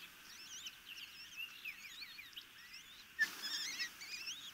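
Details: Osprey chicks in a nest near the Chesapeake Bay, Maryland, on 26 May 2018, calling during a feeding: a dense stream of overlapping squeaky, wavering whistled chirps, with a sudden sharp knock partway through.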